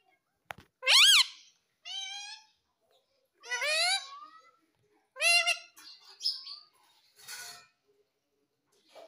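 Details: Pet ringneck parrot giving short bursts of sharp, rising screechy notes and quick chattering phrases, separated by brief pauses, with a faint click near the start.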